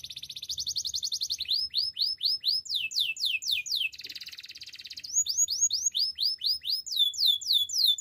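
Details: Energetic canary song: a rapid high trill leading into series of rising and falling whistled sweeps, with a brief buzzy passage midway, many notes per second.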